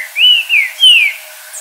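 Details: Green-winged saltator in nature at dusk, singing a "virando" style song: three clear whistled notes, the first two arching and slurred together, the third a longer falling whistle, with low sounds filtered away.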